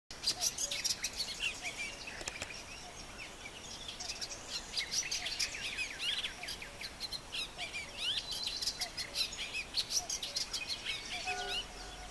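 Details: Eastern olivaceous warbler (Iduna pallida) sings a rapid, scratchy, chattering babble of high notes running almost without pause, over faint background hiss.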